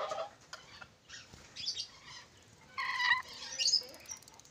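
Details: Ornate lorikeet from Sulawesi giving a mix of scratchy chirps, then a louder burst of harsh, broadband screeching near the end, with quieter rustling between calls.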